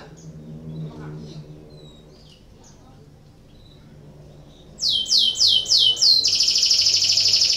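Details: Canary in breeding condition used to get other canaries singing: quiet low background murmur for nearly five seconds, then loud high downward-sweeping whistles, four in a row, running into a dense sustained trill.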